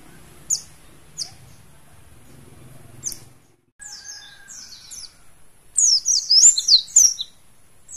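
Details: Mountain white-eye, a kept bird of the Mount Slamet type, gives scattered high, clipped chirps and a faint thin whistle, then breaks into about a second and a half of rapid, high, tumbling warbled phrases.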